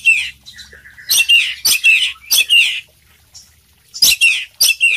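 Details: Oriental magpie-robin of the poci variety singing vigorously in the full-isian style. Loud, harsh bursts of bright chattering notes alternate with a faint level whistle, then a pause before more scratchy phrases.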